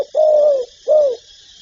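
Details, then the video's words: Spotted dove cooing, from a recording covering its calling, urging and cooing styles: two smooth, low, slightly falling hoots, the first longer, the second shorter, with a brief gap between them. "Tiếng chim cu gáy đủ bài gáy gọi, thúc, gù"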